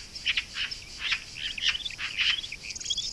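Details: European roller (Coracias garrulus), one of a pair nesting in an artificial nest box at Shirvan National Park, Azerbaijan, May–June 2013: harsh, rasping crackles in quick bursts, about two a second, some running into brief chattering rattles.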